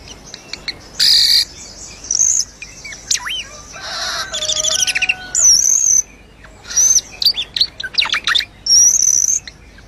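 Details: Asian glossy starling singing energetically: harsh buzzy bursts mixed with thin high whistles and squeaky chirps in irregular phrases.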